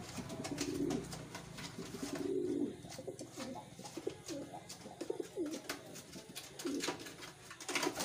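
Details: Captive wild pigeons kept for rearing give low, rolling coos in repeated bursts, with background clatter and knocks.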